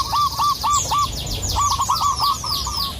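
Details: Indonesian local zebra dove, called a lure for rival doves: brief quick bursts of clipped, curled cooing notes in two runs, with busy high chirping from other small birds overhead.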